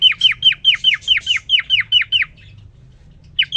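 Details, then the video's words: A lone caged male cockatiel starts singing once a female joins him: rapid loud whistled notes, each dropping in pitch, in a regular run of about a dozen, then a short silence and two more. "The most amazing, and magical Cockatiel twitting you would ever hear."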